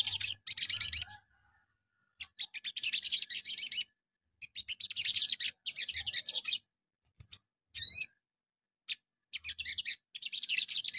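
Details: Crimson sunbird morning lure song meant to make other sunbirds answer: very high, thin, rapid twittering in bursts of one to one-and-a-half seconds, with short pauses and a few single sharp chips.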